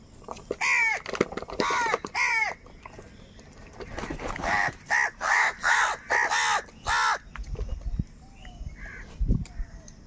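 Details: Crows fighting for food, loud with anger: three rasping caws open, then a steady series of six harsh, evenly spaced caws about half a second apart, ending with fainter calls and outdoor noise.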